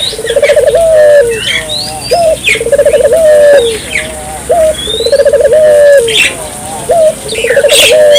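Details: Barbary dove calling vigorously as a lure for local doves: regular alternation of stuttering pulsed coo rolls and brief hooked notes, roughly four phrases, with scattered high whistles and chirps of small birds behind.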